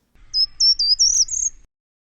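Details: Short-toed Treecreeper singing in the Quénécan forest, Brittany, on a climb toward a chapel: a short, high run of about six thin, sharp notes, the last rising slightly, repeated endlessly, over a quiet background.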